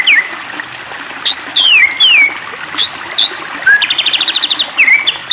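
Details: Provoked singing of a White-rumped shama (Copsychus malabaricus): looping downward whistles and rising sweeps, then a fast rattling trill of repeated notes and a final falling whistle.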